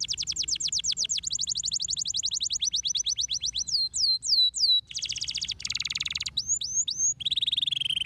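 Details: Canary song meant to stimulate other canaries to sing: rapid repeated trill tours, swift upward-sweeping notes, buzzy rolls and a steady fast trill, changing pattern every second or so over a faint low hum.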